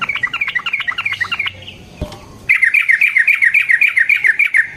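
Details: Sooty-headed bulbul giving a long rolling song used to provoke other bulbuls into singing: fast strings of short bright chirps, repeated several times per second, broken by a brief pause with a single dull knock before the rapid series resumes.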